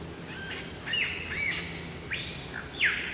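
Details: Superb lyrebird male heard unseen in Sherbrooke Forest giving a mating call: loud ringing whistles, some sliding down sharply, others long and level, spaced irregularly over a steady low forest hum.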